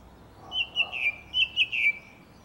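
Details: Garden song thrush, a lone bird in April 2021, gives a fluty whistled phrase of several slurred, slightly falling notes in rapid sequence, rich and clear against a quiet background.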